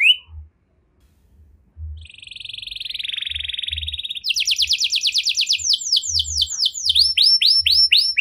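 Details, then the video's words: Canary singing in the luxurious cengkok mewah style: a sharp opening note, then a steady buzzy tone, then a fast trill of descending sweeping notes repeated rapidly to the end. "Burung Kenari Mana Saja Pasti Ikut Gacor Setelah Dengar Kenari Cengkok Mewah Ini"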